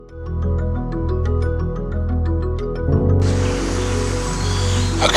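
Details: Background music with soft chimes and sustained tones that swells into a fuller, noisier passage, with no animal sounds.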